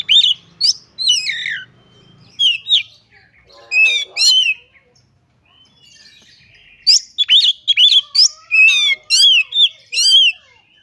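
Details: White-rumped shama (kacer) in energetic gacor song full of mimicked phrases, bursts of loud whistles, sharp chips and trilled notes, a quiet pause mid-way, then a dense fast sequence of ringing notes.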